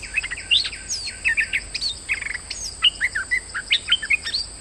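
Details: Streak-eared bulbul in moult, used as a lure bird, singing busily: rapid chirpy whistled notes, some rising and some falling, in quick bursts with a steady high hum behind.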